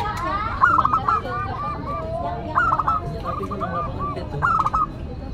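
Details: Local Indonesian zebra dove with a classic, unique voice, singing actively. Three clipped, trilled coo phrases arrive roughly every two seconds, with softer cooing and other birds chattering between them.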